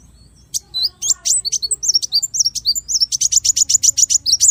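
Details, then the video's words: Small bird singing a varied 'tembakan' style song: a short faint note, then high whistled and slurred chirps that speed into a fast, even run of sharp repeated notes over the last second and a half. "MASTERAN BURUNG KECIL FULL TEMBAKAN VARIASI MEWAH"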